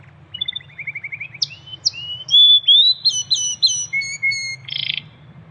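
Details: Canary singing in nature: a varied, sweet phrase opening with a rapid series of rising chips, then clear sustained whistles, buzzy trills and a final harsh rattle, over a soft low background rumble.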